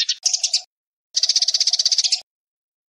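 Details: Eurasian tree sparrows fighting, with a short choppy burst of harsh chirps and then a one-second rapid rasping chatter, a low steady tone beneath, and silence after.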